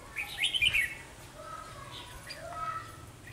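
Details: Decoy Red-whiskered bulbul from Kim Bôi, set out to lure wild bulbuls into a trap on a sunny, windy day, 12 October 2020: one bright, warbled phrase sweeping rapidly up and down, then softer scattered whistled notes over low wind rumble.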